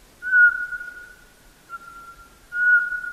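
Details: Eurasian pygmy owl song of soft, repetitive whistling: two short, clear, steady-pitched whistled notes about two seconds apart, each fading into a long, even tail, on a quiet background.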